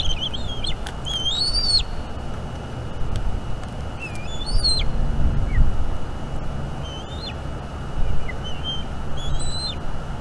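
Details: Eaglet of a Bald eagle pair in a North East Florida nest, vocalizing while its mother feeds it squirrel on a May 2021 evening; scattered high thin whistles, some sharply upslurred, separated by pauses, over a low rumble.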